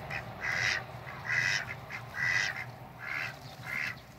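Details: Four Pekin ducks: loud, harsh, nasal quacks in separate bursts roughly every 0.8 seconds, five calls in a row over a low steady hum.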